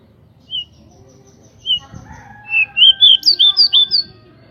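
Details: Pied bushchat of local stock singing with spread wings, a lure meant to provoke other bushchats into quick, fired-up song: scattered high whistles build into a rapid run of bright rising and falling notes, over a steady lower tone and a faint rumble.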